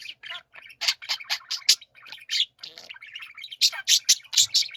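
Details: Several pet budgerigars singing together, with rapid strings of bright high chirps repeated quickly in runs and grating chatter between them.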